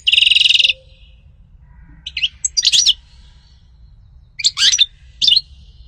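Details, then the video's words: Goldfinch song, the bird called sṭila or umm qnin locally: it opens with a loud nasal buzzing rattle, followed by scattered high chirps and slurred twittered notes. "غناء عصفور الحسون سطيلة ام قنين صوت طاير"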